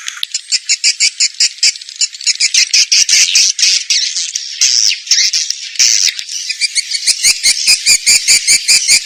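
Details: Lure call for attracting swiftlets: high, crackling chatter that swells into a dense buzzy burst mid-way, then breaks into separate sharp clicking chirps.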